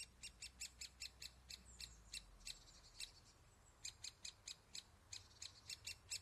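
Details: Young great spotted woodpeckers being fed at a nest hole give bursts of quick, high, clicking chips, pausing briefly midway before the rapid series resumes, over a quiet low hum.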